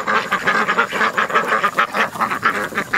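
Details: Family of friendly American black ducks visiting a house for about a month, chattering in a steady run of short nasal quacks, about four per second, with a person offering them more food.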